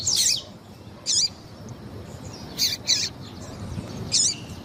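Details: Double-collared seedeater recording with a female's calls, used to warm up another bird: five sparse, harsh, buzzy high chirps spread about a second apart over a faint low hiss.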